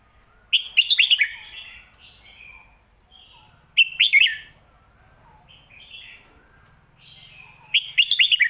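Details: Red-whiskered bulbul giving the favoured Phat Kuai Tiao, or Mae Bot, song. Three bubbly, warbling phrases about three seconds apart, each a fast cluster of bright notes, separated by quiet gaps with softer notes.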